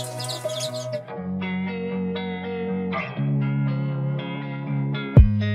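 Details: Electric guitar music with distorted sustained chords changing every second or two, ending in a sharp thump, and no animal sound.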